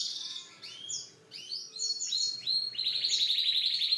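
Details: Canary song of sweeping slurred notes leading into a fast, even, repeated trill held for over a second, loud and clear.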